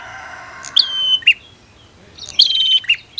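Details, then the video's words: Prinias, female against male, sounding to spur silent birds into song: two phrases of a high piercing note dropping into a level whistle, then a short burred chirp, over a faint hum. "SUARA Prenjak betina VS Prenjak Jantan"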